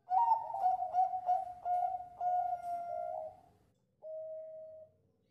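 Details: Bangkok zebra dove song in the cengkok depan klaww ujung narik style: a fast string of rich, throbbing coos. It slows into a longer flat note, then after a pause gives one final drawn-out coo.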